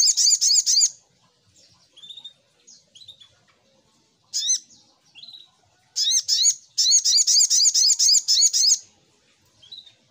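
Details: Little spiderhunter giving a lure song: loud, rapid strings of high chirps, each note sweeping downward, in bursts of about a second and up to three seconds, separated by softer short notes.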